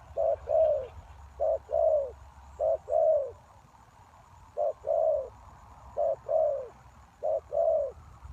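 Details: Spotted dove call used as a ground lure to attract wild doves: low cooing phrases, each a short note followed by a longer rounded coo, repeated about every 1.2 seconds in a steady series, with a quiet low rumble underneath.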